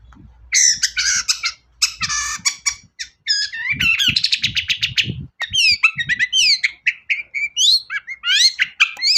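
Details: Long-tailed shrike in full lure song for prompting other shrikes: dense, harsh chattering bursts switching into quick sweeping, slurred whistles and rapid twitters, with low background knocks.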